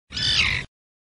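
A common tern gives one harsh, grating call, about half a second long, dropping slightly in pitch at the end; nothing else is heard.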